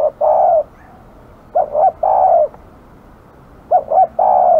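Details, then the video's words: Village spotted dove noted as aggressive, calling in a steady rhythm: quick paired notes then a sustained low coo, repeated about three times in a quiet setting. "burung terkukur kg galak"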